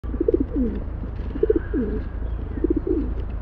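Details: Rock pigeon cooing: low throaty phrases of short pulsing notes followed by a sliding, falling coo, repeated about three times over a steady low background rumble.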